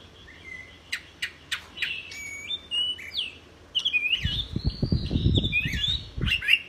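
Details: Training song of a white-rumped shama: spaced sharp clicks and short whistles, then a flowing run of bright, slurred whistled phrases, with a burst of low thudding noise in the second half.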